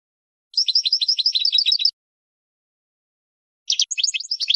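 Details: Goldfinch song used to train birds to sing: two bursts of rapid liquid twittering, the first lasting over a second, the second following after a pause of nearly two seconds, on a clean, quiet background.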